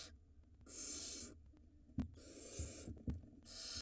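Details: Nesting barn owls in Israel, 2022, watched by a live 4K camera while the male hands a mouse to the female for their young. Three separate breathy hisses, with sharp clicks and taps between them.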